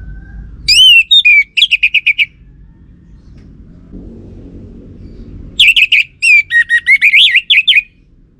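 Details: Orange-headed thrush lure song: two bursts of loud chattering whistles, each starting with a sweeping note and then a fast series of short trills, separated by a quieter pause.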